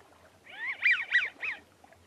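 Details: American Wigeon giving its wheezy "zoo zoo zoo" call, soft and not carrying far: three or four quick whistled notes, each rising then falling, over about one second.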